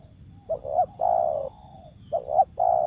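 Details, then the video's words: Wild spotted dove used for luring birds, uttering a stammering double note and a drawn-out falling coo, then beginning the phrase again. "TEKUKUR LIAR SUARA IDAMAN PEMIKAT"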